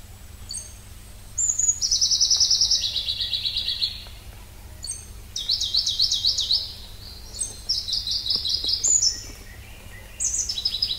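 A Pallas's leaf warbler sings very high, bright phrases of rapid repeated notes that step downward in pitch, with short pauses between bursts, over a steady low hum.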